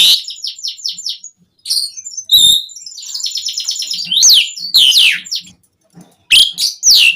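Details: Asian pied starling in full song, a lure meant to set captive starlings singing: fast trilled chatter, a sharp whistled note, long rattling buzzy passages, then loud rising and falling slurred whistles.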